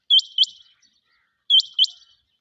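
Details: Rain quail, locally called changy, recorded in a quail-hunting context: two sharp, high, metallic double-note phrases, each a quick pair of bright rising notes, repeated about one and a half seconds apart, with a quiet background.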